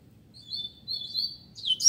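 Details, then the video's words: Double-collared Seedeater in a singing contest between two caged birds: drawn-out, thin, high whistles that waver slightly, ending in a sharp, louder upslurred note. "Coleiro Disputa de Canto"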